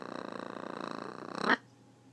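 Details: Pet talking blue-and-yellow macaw growling: a rough, rapidly pulsed rumble lasting about one and a half seconds, swelling at the end and stopping abruptly, in a quiet indoor setting.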